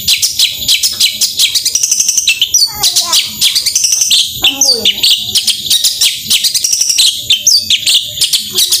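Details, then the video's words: Long-tailed shrike singing a busy gacor tembakan song, used to rouse reluctant shrikes into singing: rapid high chattering notes in dense bursts, broken by a few sweeping whistles and a lower downslurred phrase near the middle. "Cendet Gacor Tembakan"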